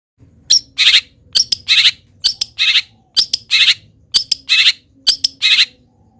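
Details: Local long-tailed shrike singing a song packed with mimicked wild-bird phrases, actively even while moulting: harsh, buzzy chirps in quick pairs and triplets, repeated about once a second, with a faint low hum beneath.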